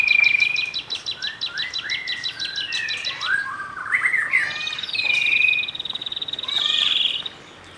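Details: Young wild white-rumped shama delivering rich, rapid song: a fast trill of repeated notes, then downslurred whistles, buzzy bursts and sustained high whistled phrases, loud throughout.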